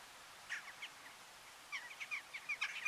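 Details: Eurasian jackdaw in December at Uitkerkse Polder, Belgium, giving short, sharp 'tchak' notes, a few scattered at first, then a quickening run of about eight, over a faint hiss.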